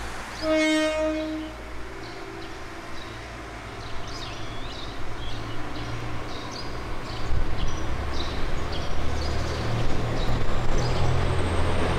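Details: A train horn sounds briefly, followed by the low rumble of a passing train with faint high squeals.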